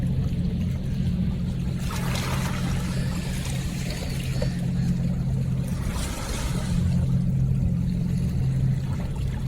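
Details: Steady low rumbling water and engine-like noise with splashing bursts and no animal call.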